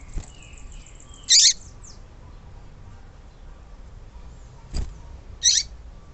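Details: Female yellow-bellied seedeater call, used to excite males and get them into singing condition; two brief harsh, buzzy chip bursts about four seconds apart, with faint thin whistled glides in between and low background noise.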